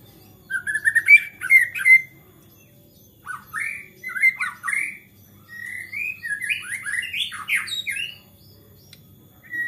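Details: White-rumped shama in agitated, fired-up singing said to provoke other shamas into song: varied phrases of whistled, slurred notes and harsh chattering bursts, delivered in clusters separated by short pauses.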